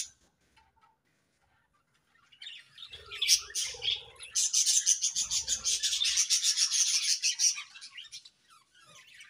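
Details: Morning chirping of budgerigars, quiet at first, then a swelling burst of fast, scratchy warbles and pulsed chatter lasting several seconds before fading; faint low thumps underneath.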